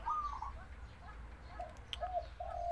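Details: A captive spotted dove, possibly a hybrid, kept for about a month and of sex unknown to its owner, calls with soft, mellow cooing notes, some slightly falling, spaced across a few seconds, over a low background rumble.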